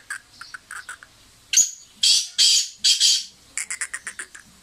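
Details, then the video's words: Sindhi black francolin (kala teetar), a fearless kept bird: a run of short, quick clicking notes, then three loud, harsh, grating bursts about half a second each, and then another fast series of short notes. "Sindhi Kala Teetar Full Masti awaz"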